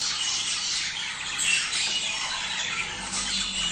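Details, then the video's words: Budgerigars chattering, a sound played to stimulate mating: a dense, continuous wash of high warbling chirps and scratchy squawks, many birds overlapping with no pauses, over a faint low hum. "صوت تحفيز البادجي على التزاوج"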